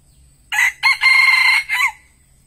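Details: Red junglefowl kept as a decoy to lure wild birds, giving one loud, clear crow of four parts: a short opening note, a brief second note, a long sustained middle section, then a clipped falling final note, about 1.4 seconds in all.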